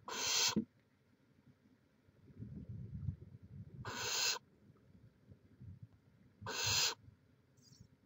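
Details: Barn owls at a Chula Vista, California nest filmed live on 18 May 2017 give three raspy hisses, roughly every three seconds, over a low rumbling background with shuffling noises.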